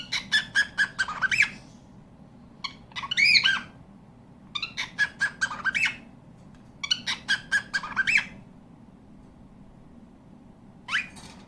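A cockatiel gives bursts of harsh, chattering chirps with short quiet gaps between them.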